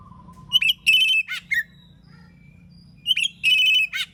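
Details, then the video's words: An Oriental magpie-robin in the morning, singing to make others of its kind answer. It gives two phrases of clear, steady high whistles mixed with buzzy, harsh bursts and a falling note, separated by a pause, over a faint low hum. "KACER gacor NGEPLONG di pagi hari BUAT KACER lain NYAUT"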